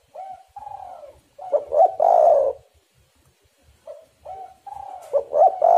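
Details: Calling spotted dove, played to make other doves sing: soft drawn coos leading into a stuttered double note and loud throaty purr, a brief quiet gap, then the same pattern starting again.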